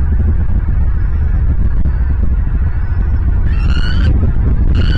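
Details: Bald eagles at their nest in Southwest Florida, picked up by a live nest camera on a January 2023 morning: two short, nasal, harmonic calls near the end, heard over a steady heavy rumble of wind.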